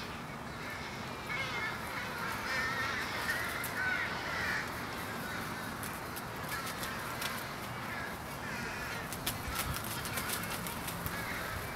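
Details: American crows at a winter evening pre-roost in Coles County, Illinois, USA, 16 January 2015, produce a dense wash of rasping caws from many birds, followed by a run of sharp clicking noises.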